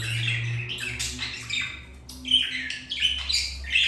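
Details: Mating budgerigars after a white-grey budgie rejected the male; busy scratchy chatter with quick chirps and a few thin whistles, fairly constant in loudness, over a distinct low hum.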